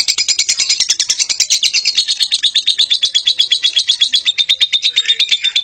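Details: A long ngekek song from a lovebird: dense, raspy chatter of quick repeated high notes, rolling on without pause, slightly rising and falling in tone.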